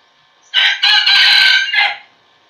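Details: One raspy crow from a decoy junglefowl cock used to lure wild roosters. A brief first syllable is followed by a long loud central stretch and a short final note, with no other sounds.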